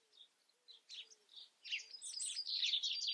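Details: European robin in song: a few soft, sparse twitters build into a loud, dense, high-pitched run of tumbling, squeaky notes.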